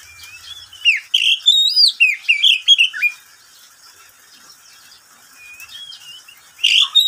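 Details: Caged oriental magpie-robin in daytime song: a rapid string of bright whistles and swooping chirps for three seconds, a quiet pause with faint notes, then another loud phrase.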